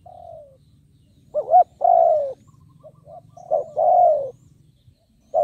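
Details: Decoy spotted dove calling to lure wild birds; a soft falling coo, then two louder phrases of short notes sliding into long descending coos, over a low hum.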